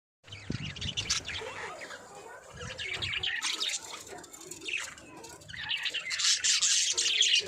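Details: Pet budgerigars chirping: busy, scratchy high chatter and short warbled notes in uneven bursts, growing louder and denser toward the end.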